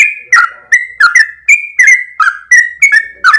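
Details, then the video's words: Sooty-headed bulbul singing a long continuous 'ropel' run: crisp whistled notes near the same middle pitch, each starting with a sharp click. There are about ten notes in three seconds, some rising and some dipping. "full suara Trucuk gacor ropel panjang"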